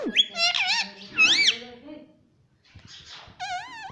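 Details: Parrot kept as a pet that says "Mummy", producing squeaky, arching syllables that bend up and down, a pause, then a soft rustle and a final wavering, wobbly note.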